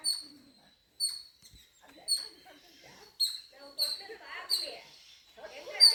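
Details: Pet birds kept at home give short high chirps about once a second, each a bright note with a fainter upper tone, while a woman speaks softly in Tamil, coaxing them to pose.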